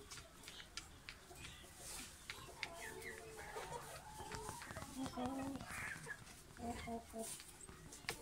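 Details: Red Yokohama rooster, a male of this long-tailed chicken breed. Brief harmonic, nasal calls come in two short bursts near the middle and later, between scattered clucks and clicks, over steady low background noise.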